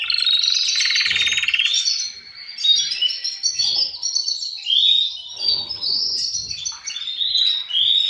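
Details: Captive male canaries singing, one strong singer and answering males, to push birds toward breeding. Loud buzzy rolling trill opens, then varied chirped phrases and rising whistles come in spurts with short gaps and soft knocks.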